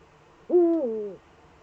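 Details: Eurasian eagle-owl in its nest niche on a webcam, 28 February 2013: a single drawn-out, low, tonal note lasting under a second that dips slightly in pitch toward the end, over quiet room hum.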